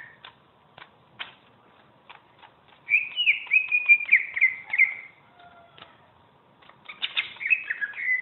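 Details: Greater green leafbird, champion bird used as a tutor, beginning with scattered clicking ticks, then a fast rolling phrase of slurred whistles, a few faint pure tones, and a final warbled burst.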